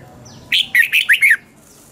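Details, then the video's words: Red-whiskered bulbul morning training song in the 'giọng xoắn kép' double-twist voice: a single fast phrase of five loud, slurred, bubbling notes, with quiet before and after. "Luyện chào mào hót sáng 2020 chào mào giọng xoắn kép Quá hay"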